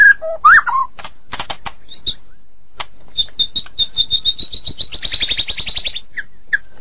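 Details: Active singing from a Medan White-rumped shama: a few swooping whistles and dry clicks, then a long rapid trill of high ticking notes that speeds up and rises slightly before two short whistles close it.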